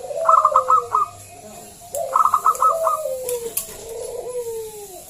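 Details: Local zebra dove with a loud voice, used as a lure to draw other zebra doves into singing: quick staccato clicking notes, then a long descending coo, repeated twice with a further wavering coo at the end.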